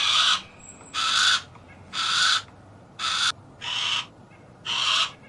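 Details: Harris's hawk giving harsh, broadband rasping screams, each about half a second long, repeated roughly once per second in a steady series of six, with faint background hiss between calls.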